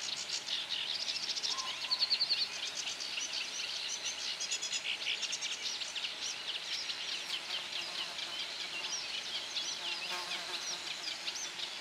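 Eurasian reed warbler singing a steady, jerky chatter of high, scratchy notes repeated in twos and threes, with a brief clear whistle from another bird early on.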